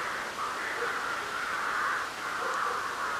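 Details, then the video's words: Crows calling on a spring night under a full moon in March 2021: a dense, unbroken chorus of harsh, overlapping caws that swell and fade every second or so, with no single bird standing apart. "Pilnatis - Varnų garsai"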